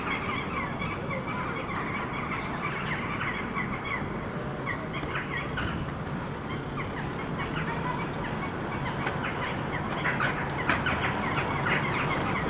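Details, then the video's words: Eurasian Jackdaws roosting in big willow trees in a park in Helsinki, Finland, October 2015: constant overlapping chatter of short, sharp 'chak' calls over a low rumble of distant traffic. "Sound of Jackdaws roosting"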